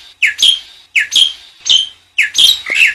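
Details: Black-winged myna song used as a lure to prompt other birds to sing: harsh, buzzy phrases with bright upper notes, repeated about every three quarters of a second in four bursts.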